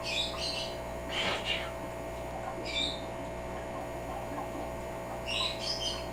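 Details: African grey parrot that copies what its owners do, imitating a sneeze: one short, sharp, breathy burst, with thin high chirps before and after and a steady electrical hum underneath.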